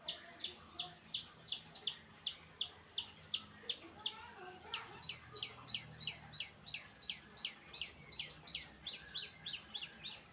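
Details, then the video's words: Long-tailed shrike singing in the late afternoon: a fast, regular string of sharp, high chirps, nearly three per second, sustained without a break, against faint background noise. "Kicauan Cendet di Sore Hari"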